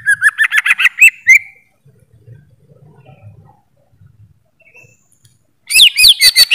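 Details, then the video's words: Song of a greater green leafbird: a quick string of slurred, chirpy whistles that ends in a rising note. A low rumble fills a quiet stretch before a fresh run of loud, varied whistles begins. "Suara Burung Cucak ijo"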